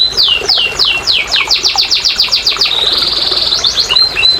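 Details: Singing canary used to provoke reluctant canaries to sing: a series of loud downward-slurred whistles repeated several times a second, accelerating, then a fast buzzy trill and a few short whistled notes.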